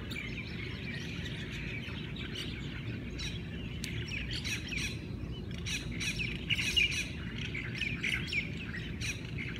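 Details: Morning chorus of Hawaiian birds in Hawaii, with busy high chirps, trills and sharp clicks overlapping, growing denser and louder toward the end, above a constant low background rumble.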